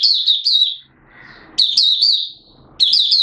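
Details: Malaysian Oriental white-eye, a kept hobby bird in light moult, performing buka sing: three bursts of sweet, high, rapidly repeated chirps with short quiet gaps and faint background rustling between them.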